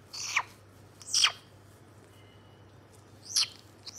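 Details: White-bellied caique uttering a few sharp, scratchy high screeches, two close together then two more after a pause, over a faint steady hum.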